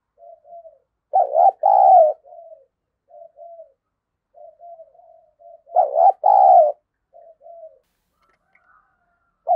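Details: Decoy spotted dove used to draw in wild doves, 'giọng thổ' style. Soft murmured coos lead into two loud, low double-note phrases about five seconds apart, each with quiet trailing notes. Another phrase begins at the end.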